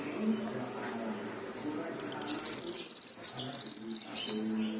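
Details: Black-winged myna (kinoi) singing in full voice, used as song-filler material: after a quiet start, a long, high, thin whistle slides slowly downward for about two seconds, pulsing rapidly, over a faint low hum.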